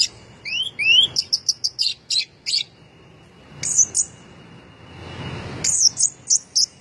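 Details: Orange-headed thrush, a first-place contest bird, singing actively: rising slurred whistles, then a quick series of sharp high notes, a pause, and another burst of clipped high whistles, over quiet background hiss.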